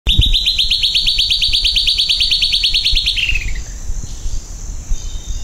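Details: Silvered antbird (Sclateria naevia) song: a long fast series of bright, evenly repeated whistled notes near one pitch, about three seconds, ending in a short descending run of notes; faint insect hum and low background rumble.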